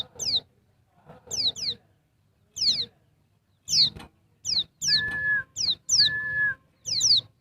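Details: Female Bali white-eye (pleci dakbal) calling to males: high, thin, falling whistle notes in singles and pairs, with short bursts of clicking and a steady mid-pitched tone from another sound between them.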